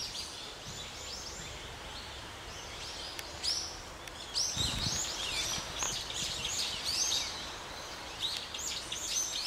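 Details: Gray starling hunting a small lizard and beating it on the ground at Ginga no Mori in Sagamihara, Japan; sharp high chirps come in loose, uneven clusters, busier in the second half, against constant background hiss.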